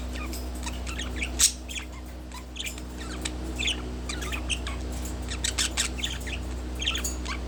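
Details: Relaxed pet budgie on a wooden perch keeps up busy chatter of short, high chirps, clicks and brief warbled notes, thickening toward the end, with a steady low hum beneath.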